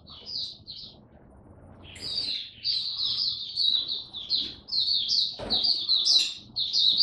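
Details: Oriental white-eye kept as a caged hobby bird, singing buka style: a soft opening phrase, then a long, rapid, high-pitched warble of twittering notes, with one brief knock midway.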